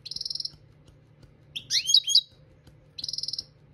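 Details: Goldfinch singing for training: a fast buzzy pulsed trill, then a tumbling twitter of liquid high notes, and the same pulsed trill again, against a quiet low electrical hum.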